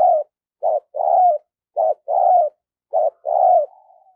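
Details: Trained decoy spotted dove with a fine voice, used to lure wild doves: paired low coos, a short one then a longer one, repeated about every 1.2 seconds, ending in a faint trailing whistle.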